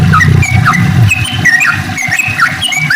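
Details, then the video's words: Sooty-headed bulbuls in morning song, a lure for birds that have gone quiet: quick liquid whistles and downslurred notes overlapping from more than one bird over a low murmuring background. "kicau trucuk gacorr dipagi hari cocok untuk pancingan trucuk malas bunyi agar rajin bunyi kembali"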